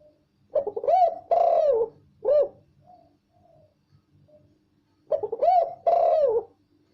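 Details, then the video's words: Spotted dove calling loud and clear: a phrase of hoarse cooing notes, a short coo, a long drawn coo and a brief final coo, repeated after a pause of about three seconds, with faint soft sounds between. "Tekukur suara jelas dan keras"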